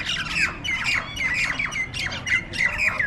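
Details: Nias starlings (jalak nias) squabbling in a group fight, giving rasping squawks and short down-slurred whistles, roughly two bursts a second, loud and uneven.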